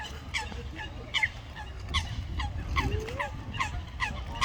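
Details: Common moorhen family with chicks on the water: a rapid series of short, downward-slurred calls, roughly one to two per second and somewhat irregular, with a low rumbling background throughout.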